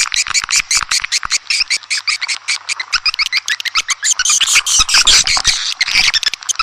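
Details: Swiftlets on a calling track for swiftlet farmers: fast, regular chirps, about two or three each second, with quick clicks, then a louder, denser burst of twittering near the end.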